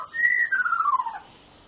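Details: One long clear whistle from a white-rumped shama, a prolific 'full isian' singer. It holds steady at first, then slides gradually downward for about a second and fades, with little background noise.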